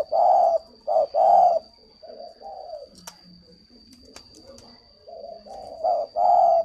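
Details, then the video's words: Spotted dove at a bird-breeding garden in Ba Vì, Hanoi, Vietnam. It gives deep, hoarse coos in a loud burst during the first second and a half and again near the end, with softer low coos between and a steady high electronic whine throughout. "chim cu"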